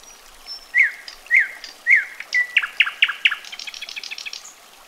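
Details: Common nightingale singing: three loud, sharply rising-and-falling whistled notes repeated about every half second, then a fast run of clipped, stuttering notes that fades into a soft, high rattle.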